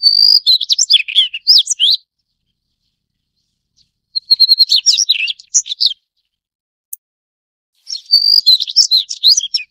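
A Daurian redstart gives three two-second bursts of quick, high, scratchy twittering notes, with short pauses between. Nothing else is heard.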